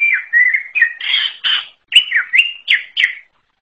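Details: Greater green leafbird from the forest in a unique song, a fast string of clear slurred whistles and buzzier notes, each phrase dropping in pitch, delivered without pause before ending abruptly.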